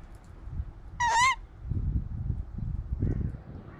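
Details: A captive male Tawny Owl, flown among trees on a bright, windy December morning before his meal, gives one loud, harsh, nasal call lasting about a third of a second, wavering up then down, while a man talks quietly nearby.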